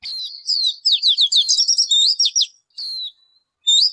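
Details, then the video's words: A dense, fast twitter of sliding high notes from a bird called ncwb in Hmong, followed by a single slurred call and the start of another chirp run. "Suab noog ncwb qua dib tuaj zoo tiag tiag."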